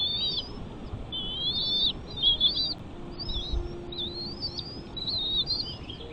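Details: Piping chatter from a bald eagle nest with chicks: shrill, slurred whistles in short bursts about once a second, some doubled, over quiet natural background.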